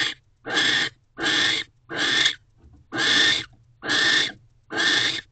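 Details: Barn owls at a nest box on the evening of 18 December 2023, 9:11 pm, as the male returns, the pair mates and he guards the entrance; seven harsh, breathy hissing bursts, each about half a second, repeated in a steady series.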